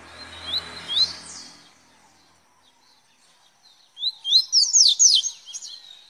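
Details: Velocista-style song of a double-collared seedeater: a low rumbling noise and a few thin notes open the recording, then after a quiet gap comes one fast phrase of bright rising whistles.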